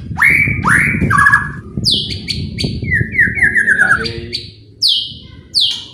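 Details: White-rumped shama singing to provoke other birds: loud upward-sweeping whistles, a chattering run of notes and sharp rising trills, over a low rumbling background.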